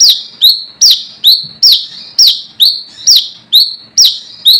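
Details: A wild brown-throated sunbird challenging rivals, a call used as a lure. A steady series of about eleven loud, piercing notes, each a sharp downward slur with a rising tail, repeated every half second or so.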